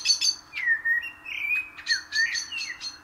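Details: Common blackbird (karabakal) in full song, close and loud: sliding fluty whistles alternating with bursts of sharp, bright high notes, phrases following each other with barely a pause.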